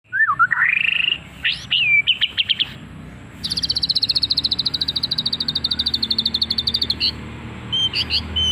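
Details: White-rumped shama song with odd, mimicked phrases: rising whistled notes and quick chirps, then a long fast rattle-like trill of evenly repeated high notes lasting about three and a half seconds, ending in short high whistles.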